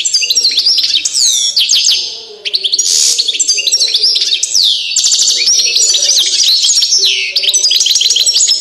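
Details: Balkan European goldfinch (Carduelis balcanica), the fiery goldfinch, singing a continuous, fast jumble of bright twitters, buzzy trills and sweeping high whistles with barely a break.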